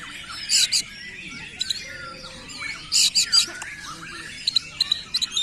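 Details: Oriental magpie-robin in full, energetic song: loud high-pitched bursts of sharp chirps and varied whistled, sweeping notes, erratically spaced, over a constant low background hum.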